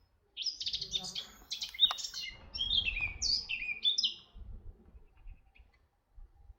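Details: At Artomaña, Orduña in Bizkaia, Spain, during 2025, a red-backed shrike utters a few seconds of rapid, scratchy twittering and sharp chirps that stop abruptly, followed by near silence with light low thumps.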